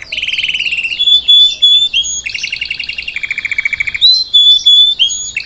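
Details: A salsa canary sings for a young bird to copy, alternating rapid low trills with clear sustained high whistles and rolling notes.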